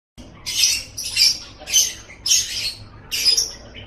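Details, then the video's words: Lovebird song from a training recording for songbird keepers: five harsh, buzzy chattering bursts, high-pitched and noisy, spaced roughly every half second with short gaps between them. "Masteran Suara Burung Love Bird"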